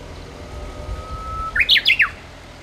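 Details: Japanese bush warbler singing as spring arrives, filmed while calling: a long, steady, level whistle held for about a second, then a quick burst of higher, warbling notes that rise and fall. Faint low rumble in the background.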